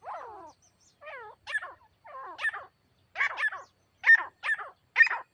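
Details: Calls of a grey partridge during hunting with a female decoy bird: drawn-out calls with falling, harmonic tones at first, then sharper harsh notes, roughly two per second.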